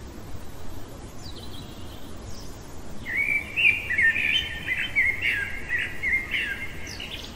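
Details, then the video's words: Common blackbird singing in the middle of the night, a long rich phrase of fluty, rolling whistles lasting about four seconds and closing with a thin high squeak, after softer distant notes, low hum beneath. "Merle chantant au cœur de la nuit"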